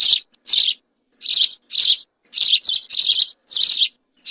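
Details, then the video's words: Group of house sparrows singing: loud, harsh, bright chirps delivered in short bursts, about eight in four seconds at uneven intervals, each chirp buzzy and mid-high pitched, with silent gaps between and no other clear sounds. "عصفور الدوري الكحالي مجموعة طيور تغرد صافي song house sparrow"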